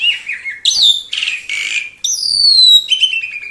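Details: Caged pet Asian pied starling singing noisily at the arrival of guests, especially unfamiliar ones; mixed raspy chatter, squeaks and a long bright whistle that slides gently downward.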